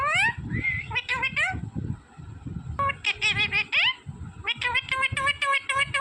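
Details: A green parrot chattering in a quick string of short nasal syllables, pausing, then another word-like burst and rapid repeated notes, while a person talks softly underneath.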